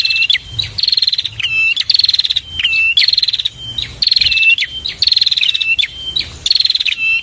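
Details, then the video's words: Bird-tutoring recording of a bar-winged prinia, or prenjak: a persistent run of sharp, rapid, high trilled bursts interleaved with short whistled notes, almost without pause. "masteran burung prenjak"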